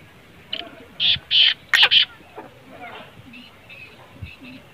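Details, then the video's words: A black francolin's grating call, meant to stir a captive bird into calling: a short broken run of four rough, high, scratchy bursts after a faint lead-in note, with quiet background noise. "kale teetar ko jaldi mast kerne wali awaz|kale tetar mast awaz| تیتر بولائی نہیں کرت یہ آواز سنائیں"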